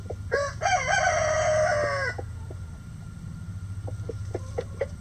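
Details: Backyard chicken flock: a loud, drawn-out rooster crow lasting about two seconds opens, followed by scattered short clucks and broken calls over a constant low hum.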